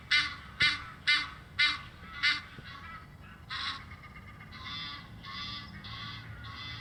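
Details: Recorded in May at Muizenberg, South Africa, with a shotgun microphone, Egyptian geese exchange honk and flight calls: a quick run of sharp nasal honks, a pause, then softer, longer drawn-out calls.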